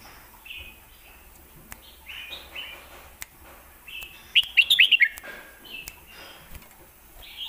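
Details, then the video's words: Red-whiskered bulbul in Thailand singing lak wai and southern mae bot song styles: soft scattered whistled phrases, then a loud rapid run of five clear slurred notes midway, followed by quieter warbles. "ลากหวายVSแม่บท(Bulbul bird Thailand)"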